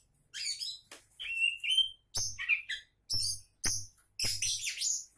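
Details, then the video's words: Champion-prospect Oriental magpie-robin pouring out loud song phrases about every half second: upslurred whistles, rising sweet notes and scratchy, buzzy high bursts, over occasional low thuds. "Kacer Calon Juara"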